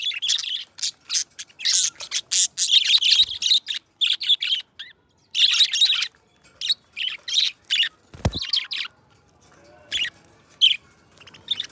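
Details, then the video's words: Pet budgies, a pair of companions, singing; bursts of twittering chirps and warbles broken by short silences, with a soft knock around eight seconds and quieter chatter toward the end. "2 Hours of Budgies Song -birds sounds - Singing and Talking"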